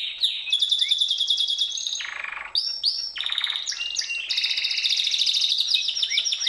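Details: Gloster or Yorkshire canary singing long even rolls of rapid high pulses, broken by a lower buzzy phrase and a few slurred whistles, the rolls repeated at a fast steady rate.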